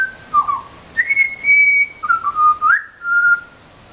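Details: Pied butcherbird (Cracticus nigrogularis) visiting a garden in Mount Gravatt, Australia, singing for food: clear fluted whistled phrases, a low dip, a long high held note, then rising slurred notes and a steady closing whistle.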